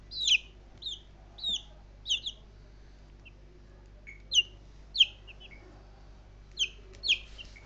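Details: Three-week-old baby chickens peep toward their owner: clear, high, falling cheeps singly or in pairs, spaced about half a second to a second apart, over a faint steady low hum.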